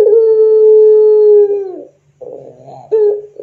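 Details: Pelung-style Barbary dove from a training lure: a sustained level coo of nearly one and a half seconds that falls away, then after a short gap a rolling trill and the start of the next coo.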